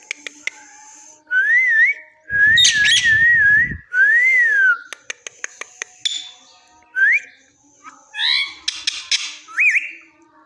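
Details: Talking parrot strings together wavering and zigzag whistles, an arched whistle, a squawky burst, then rising whistles and stacked harmonic calls, with a low rumble partway through and occasional clicks.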